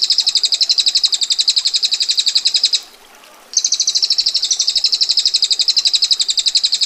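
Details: Female bar-winged prinia delivering a dense, sharp, rasping rolling trill of fast high ticks in the 'ngetir' style, one long run broken by a single pause of under a second before the rapid roll resumes.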